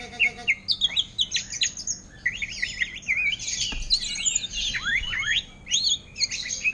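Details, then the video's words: Orange-headed thrush style song from a greater green leafbird, delivered ngentrok fashion: rapid runs of high, sweeping whistles and zigzag downslurred notes in bursts, separated by brief gaps. "Cucak Ijo Ngentrok Gaya Anis Merah"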